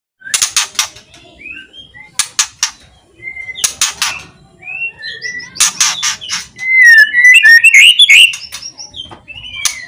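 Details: White-rumped shama song, loud, with loud rattling calls, used to provoke silent shamas into singing; broadband clicking bursts alternate with short whistled notes, building to a dense, loud phrase of varied rising and falling whistles near the end.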